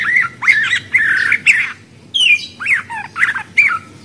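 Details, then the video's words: Budgerigar producing a chattering warble of varied whistled and squeaky notes, rising and falling, with brief pauses. "Suara Burung Parkit Australi"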